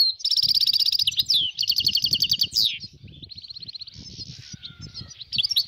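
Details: Wild European goldfinches, dozens together in northern Morocco in 2022, pouring out fast tinkling trills and twitters that fade into softer chattering, over faint low rumbling background noise.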